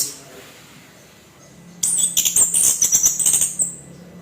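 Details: Harsh song of a kept orange-headed thrush, meant to provoke other birds: after quiet, a two-second stream of high, scratchy, rapidly pulsing notes over a faint low hum.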